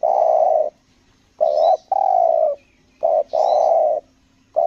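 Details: Loud, close spotted dove decoy on Lombok cooing in the stuttering style, long steady coos broken by short clipped notes, with a brief high twitter from another bird behind.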